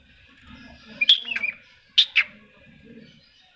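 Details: Greater green leafbird tutor recording: short sharp whistled notes followed by a few rapid chattering syllables, then two loud clipped notes about a second later, with faint low background noise.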